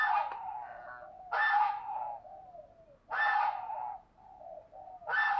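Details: Spotted dove kept as a decoy bird to provoke rivals into calling, cooing in repeated phrases roughly every two seconds; each phrase starts with a rough, loud burst and fades into a mellow, level hum.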